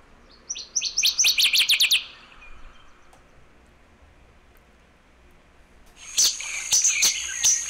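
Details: Northern Waterthrush (Parkesia noveboracensis), a 15 cm migrant at Sonso Lagoon near Buga, Colombia, gives its short call: a quick run of about eight sharp, high chips, then after a pause a second burst of bright, metallic notes.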